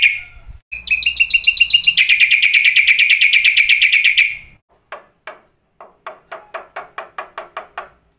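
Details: Black-winged starling song for training starlings to sing, day and night: a short whistle, then a long, rapid, buzzy trill of repeated notes, followed by a series of sharp, evenly spaced clicking notes.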